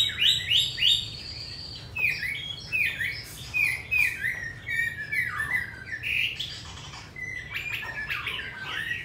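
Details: Hwamei held in a cage in Hanoi, Vietnam, and said to sing in fine forest style, delivers bursts of lively whistles and short slurred notes, pausing briefly between phrases, with some rougher notes mixed in.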